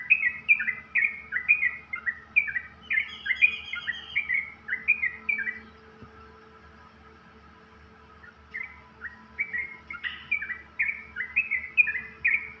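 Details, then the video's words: Yellow-vented bulbul singing in the morning, giving quick, bubbly strings of chirping notes, about three a second, with a short pause midway, over a steady faint hum. "Kicau burung Trucuk di pagi hari"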